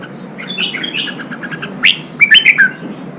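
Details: Song of a red-whiskered bulbul, played to coax freshly caught birds into singing and to train contest singers: soft twittering at first, then a rising sweep and a quick run of loud, clear whistled notes.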